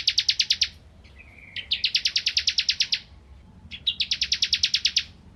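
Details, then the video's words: Actively singing bar-winged prinia, a tutor recording for white-rumped shamas: three bursts of rapid, evenly spaced sharp high chips, roughly a dozen per burst, separated by short pauses with a faint thin note between. "Burung Ciblek Kristal Gacor Untuk Masteran Murai Batu"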